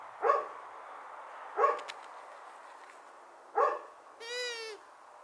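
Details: A female long-eared owl ends the sequence with one harmonic, nasal, slightly descending hoot of about half a second. Before it, three abrupt, rough bursts sound at irregular intervals.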